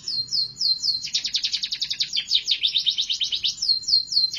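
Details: Continuous canary singing: short rising whistles open into a rapid, rhythmic trill of repeated sweeping notes, ending with more clear rising whistles.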